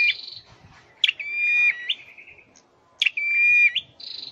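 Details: Song-trained caged scarlet-headed flowerpecker: a short buzzy note, then two sustained whistled tones with abrupt starts and a lower trailing tail, ending on another brief buzzy burst.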